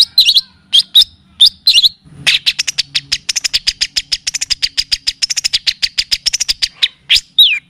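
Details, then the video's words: Long-tailed shrike (pentet) tutor recording in the kapas tembak and cililin style: a few sharp, scratchy phrases, then a long, even, rapid trill of clipped notes lasting about five seconds, ending with two more shrill notes. "Masteran dan pancingan bunyi burung cendet / pentet ‼️full kapastembak dan cililin."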